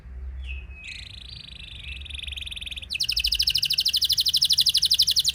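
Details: Canary in rolling (ngeroll) song, meant to goad other canaries into singing: soft rising and steady tones over background hiss, then a loud, very fast, even trill at high pitch.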